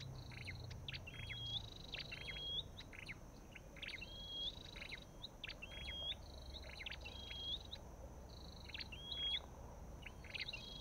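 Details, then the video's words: Olive-backed tailorbird giving a steady series of call phrases, each a cluster of brief buzzy chips ending in a thin rising whistle, repeated regularly for about eleven seconds against faint low-pitched background noise. "Sập đôi đầu đỏ và vành khoen | Orthotomus sepium"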